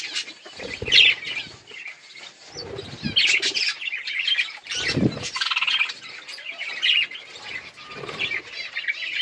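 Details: Several budgerigars eating and playing, giving dense, overlapping high chirps and chatter in steady bursts, with soft low thumps and brief pauses between the busier stretches.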